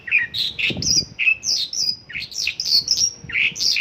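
Mongolian lark singing a fast, jumbled run of bright chirps, trills and squeaky notes that jump about high in pitch, with faint low bumps beneath.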